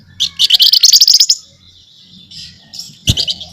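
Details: Scaly-breasted munia giving a fast, dense rattling chatter in nyerecet style, a burst of about a second, then softer buzzing and a final short rattle with a knock.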